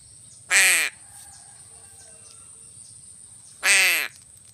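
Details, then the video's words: Crow uttering two harsh, raspy caws about three seconds apart, each roughly a third of a second, with faint softer notes between them. "BURUNG GAGAK"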